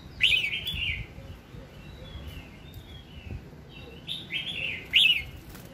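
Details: Red-whiskered bulbul morning song, used to prompt other birds to sing: loud warbled phrases of slurred whistles near the start and again after four seconds, with softer notes between and faint low background noise.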